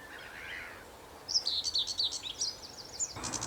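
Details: Sedge Warbler, a scratchy, fast and almost continuous singer, giving a burst of jumbled high chattery notes after a softer low warble, ending in an abrupt harsh rattle.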